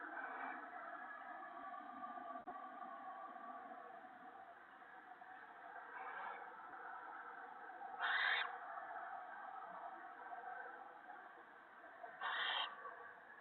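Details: Owls at a nest during a nighttime gopher feeding of owlets, March 2017; two sharp harsh hissing bursts four seconds apart, with fainter rasps earlier and a constant low hum throughout.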